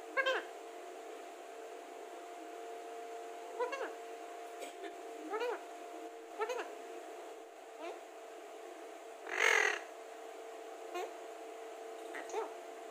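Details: An Alexandrine parakeet, a talking parrot, gives short, nasal, rising syllables every second or two, one louder and harsher near the end, over a steady low electrical hum.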